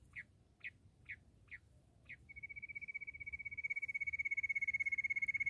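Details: Bush quail, given as a quail hunting call, opening with five short high notes about half a second apart, then a steady, fast, high-pitched pulsed trill that grows louder and runs to the end.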